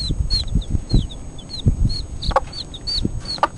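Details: Peeping of four-day-old Cuckoo Marans chicks: thin, high, short chirps repeated quickly, mixed with soft thumps and scratching sounds below.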